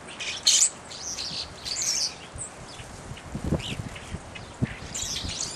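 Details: Evening grosbeaks utter sharp, bright, high chirps in brief bursts, one loud call early on and several more spaced through the clip, with soft knocking sounds in the background.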